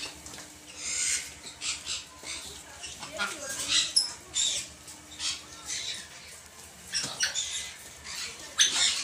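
A macaw gives harsh, raspy squawks in short bursts, about one every second or so, with a faint low hum underneath.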